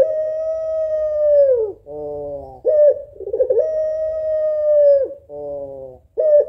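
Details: Female African collared dove, puter pelung type, calling to a male: two long steady coos drooping at the end, each followed by a nasal reedy note and a short wavering roll.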